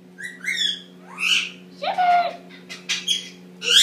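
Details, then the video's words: Pet Indian ringneck parakeet, male, eight months old, chattering in the shower as he practices talking: buzzy upswept notes, harsh squawky bursts and short chirps, with a steady low hum throughout. "Indian Ringneck talking up a storm!"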